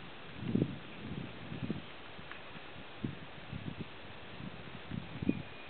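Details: Black grouse (Lyrurus tetrix) at a lek near Kuusamo, Finland, in June 2008, giving low, bubbling bursts that rise and fade roughly every half second to second, with a faint higher note and quiet outdoor background.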